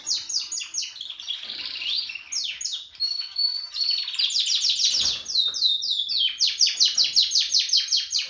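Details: Harz canary, a male working on his voice, pours out a steady high-pitched song of rapid descending slurred notes and buzzy rolls, ending in a fast, regular trill of repeated chirps.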